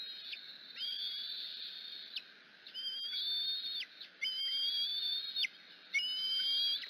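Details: A young Bald Eagle (Haliaeetus leucocephalus) eaglet at the Decorah nest gives four high, thin, wavering screeches in the afternoon. It screeched from the skywalk when its mother brought grass to the nest, and it was hungry and awaiting fish.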